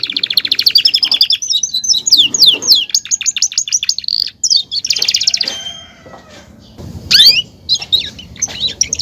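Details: Belgian canary singing: bright high trills of rapidly repeated notes, some sweeping up and down, broken by short pauses, with a brief lower buzzy burst before a final run of quick chirps.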